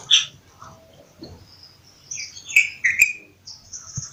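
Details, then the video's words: Bulbul giving a few separate bright notes, two strong descending whistles close together near the end, over a quiet background with a thin high whine and scattered soft chirps. "Bulbul Sound | bulbul voice"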